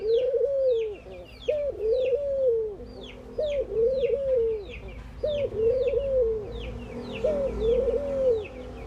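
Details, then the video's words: Ring-necked doves from India cooing during morning activity: a short rising note then a long drawn, slightly wavering coo, repeated roughly every two seconds, with thin high chirps from small birds throughout. "Ringneckdoves calling sound !! Indian Birds Dove morning activity Doves cooing"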